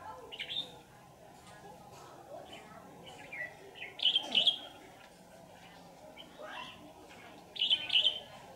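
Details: Red-whiskered bulbul during trapping, later released: scattered bright chirps and two short, loud warbled phrases heard against a steady low background hum.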